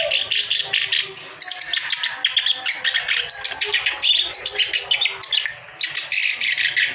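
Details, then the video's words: Clamorous reed warbler singing gacor, nonstop, meant to get lazy or silent birds singing: a dense, unbroken stream of harsh, scratchy chatter mixed with quick whistled and buzzy notes, with brief pauses near 1.3 and 5.8 seconds. "KICAU BURUNG KERAK BASI GACOR, COCOK BANGET BUAT YANG LAGI MACET BUNYI"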